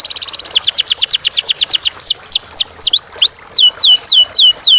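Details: Canary singing clearly: a quick buzzy roll slowing into spaced, downward-sweeping whistled notes, then repeated hooked chirps, all high and loud.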